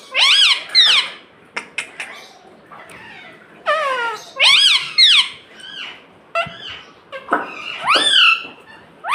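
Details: Talking pet parrot, kept at home and said to say "mummy": loud, squeaky, speech-like phrases with arching, bending tones, repeated in bursts about every two to four seconds, separated by brief clicks and quieter gaps.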